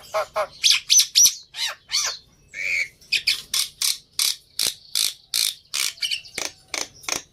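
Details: Black-winged myna singing a lure song meant to prompt another myna to answer. Dense, hoarse chattering notes repeat nearly four times a second, broken once by a short nasal mid-pitched note.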